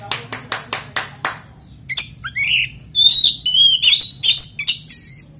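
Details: Oriental magpie-robin song used as a lure to provoke other magpie-robins into singing: a rapid series of sharp clicks, then loud whistled and buzzy phrases around the mid-high range, varied and repeated in quick succession.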